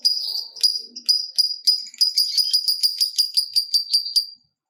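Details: Long lovebird trill used to stimulate other lovebirds. High, metallic ticks start spaced out and then speed into a rapid even rattle before stopping abruptly.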